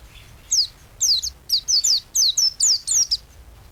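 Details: Captive white-eye singing to train songbirds: about ten high, sharp downslurred whistles, some paired, coming roughly twice a second before stopping.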